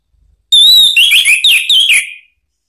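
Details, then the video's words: Orange-headed thrush provocation song: a long, steady opening whistle followed by several quick, wavering descending notes, all loud and clear on a quiet background. "isian TAJAM !!! bikin ANIS MERAH EMOSI NYAUT NGEPLONG ¦ PANCINGAN AM ¦ TERAPI MACET"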